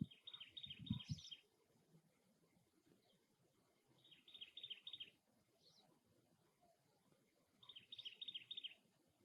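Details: Harsh, rasping chatter of a cactus wren at the nest, repeated in three bursts roughly four seconds apart. A few higher, thinner notes are mixed in, and low background rumble is heard.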